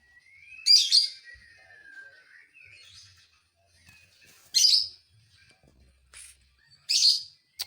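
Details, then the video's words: Provoking song of a lovebird: a thin squeaky note slurring downward, then three loud rasping bursts spaced roughly two seconds apart, with small clicks between. "dijamin burung Lovebird lain emosi"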